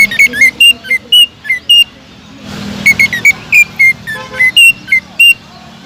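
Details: Greater green leafbird, a vigorous singer used to provoke other leafbirds, quick bursts of sharp, bright whistled notes at varied pitches, a short break with a low rumble, then another fast run of whistles.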